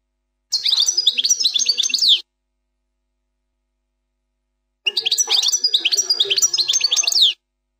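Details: Goldfinch 'plak mine' song performed without errors; two phrases of fast, bright twittering and tinkling slurred notes, each under two and a half seconds, with a long quiet gap between them.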